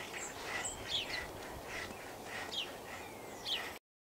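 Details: A tree full of flocking common starlings produces a busy mix of high whistles, descending slurred notes and clicking chirps above background hiss; the sound cuts off abruptly at the end.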